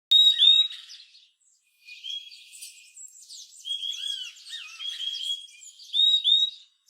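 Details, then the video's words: Purple-throated euphonia, a small fruit- and insect-eating bird of tropical American forests, giving high thin whistled notes and clipped chirps, with bursts of overlapping twittering from several birds between quieter pauses. "Purple-throated euphonia bird"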